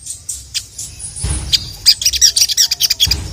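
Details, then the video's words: Sogon (sogok ontong) sunbird calling to a male: scattered sharp high chips at first, a low thump, then a quickening series of high, tinkling, chattering notes. "SUARA BURUNG SOGON YANG GACOR MEMANGGIL JANTAN INI"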